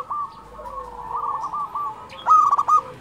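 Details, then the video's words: Singing local zebra dove (perkutut lokal gacor): low, wavering cooing runs in the first two seconds, then a loud, rolling, stuttered coo phrase near the close, with softer cooing beneath. "SUARA perkutut lokal gacor"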